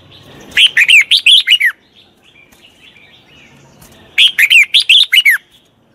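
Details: Red-whiskered bulbul song played to train the voice of a wild-caught bird: two quick phrases of about eight bright, chirpy whistled notes, each dipping and rising, separated by a soft pause with faint twittering.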